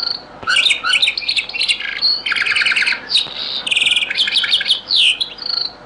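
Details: Old recording of a European goldfinch in the Algerian Beni Messous 'les avocats' (zaboka) song style: a lively stream of chattering, liquid notes mixed with fast rattling trills and clear whistled slurs, nearly continuous with brief gaps.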